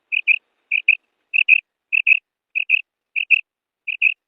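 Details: Calling female quail used as a hunting sound. Seven crisp, high two-note phrases, each a quick wep-wep, come at steady intervals of about two-thirds of a second against silence.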